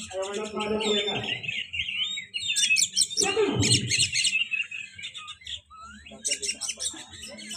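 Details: Magpie-robin (kacer), a 'pastol' bird presented as a future champion, gives varied high warbled phrases, rapid chirps and a rising whistle, with people talking loudly over parts of the song.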